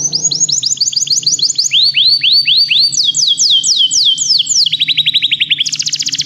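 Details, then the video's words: Canary song used for song training: fast trills of repeated downward-sweeping whistled notes, changing tempo and pitch in several tours, ending with a rapid high buzzy roll; faint low hum underneath. "Canários Begie cantam muito - o melhor treinamento canário para você"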